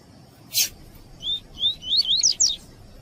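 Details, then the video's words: Double-collared seedeater (coleiro) in the tui-tui song style favoured for breeders' tournaments, played to warm up captive birds for singing: a sharp click, then quick slurred whistled notes rising and bending, tumbling faster toward the end, over a steady faint high hum. "ESQUENTA TUI TUI PERFEITO CANTO DE COLEIRO TUÍ-TUÍ E PAPA CAPIM PARA ESQUENTAR COLEIRO E PAPA CAPIM"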